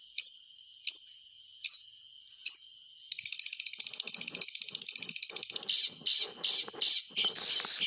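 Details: White-rumped shama sound used to prompt silent shamas into song: four spaced sharp chips about one second apart, then a long buzzy high rattle and a burst of loud, harsh chattering notes.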